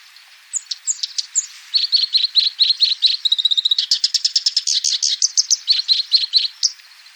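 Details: Sooty-headed bulbul (black-browed) singing a lively chattering song: high chips, then a quick series of short bright notes that build into a dense rapid burst before easing back to spaced chirps.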